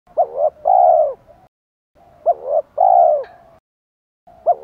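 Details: Spotted dove in the Thổ style with provoking fight phrasing, used to lure wild doves: three phrases, each a short double note then a long low hollow coo, repeating about every two and a half seconds.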